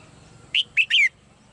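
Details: Single phrase from a female cage bird: two sharp chirps, then a longer bright note that sweeps down. The surroundings are otherwise still.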